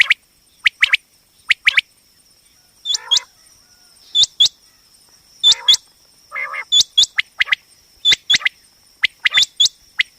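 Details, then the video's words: Female common quail calls, a recording used for quail hunting and trapping: sharp clicking notes in pairs and triplets, with thin upward-hooked whistles and a few nasal buzzy notes, irregular, under a steady high electronic tone. "common quail hunting sound//batair ki awaz"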